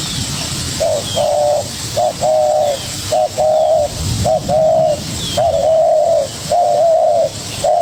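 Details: Young wild-caught spotted dove dueling vigorously with a decoy bird: mellow cooing phrases, a short note then a longer slurred coo, repeated about once a second with brief pauses, over low rumbling background.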